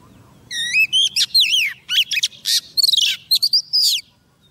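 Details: Trapping-decoy female Oriental magpie-robin sings to summon a male in a four-second phrase. Clear looping whistles alternate with buzzy, chattering notes and a few quick stuttered bursts.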